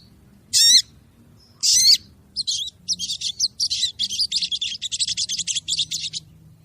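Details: Crested jay female calling to a male, a lure recording: two separate harsh, grating notes, then a fast chattering run of many short rasping notes that lasts several seconds.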